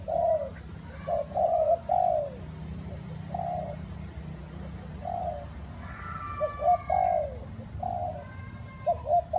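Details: A spotted dove cooing amid rain and wind: soft, downward-sliding hollow notes in loose groups, with faint higher whistled notes from another bird partway through and a low background rumble.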